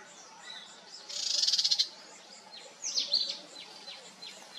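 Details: Sunbird family group: a rapid, buzzy trill of fast-pulsed very high notes lasting under a second, followed by a cluster of sharp downslurred chips and scattered thin tweets.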